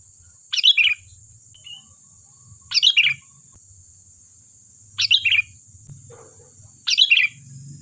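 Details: Sooty-headed bulbul singing, a recording meant to lure other birds into answering: cheerful, gurgling phrases of a few quick notes, given every two seconds or so, with a steady high electronic tone behind.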